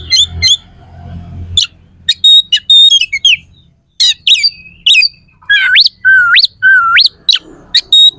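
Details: Oriental magpie-robin in full, varied song meant to provoke rival magpie-robins before contests. Sharp clipped notes and short level whistles give way to loud looping whistles that swoop down then sweep steeply up, repeated three times.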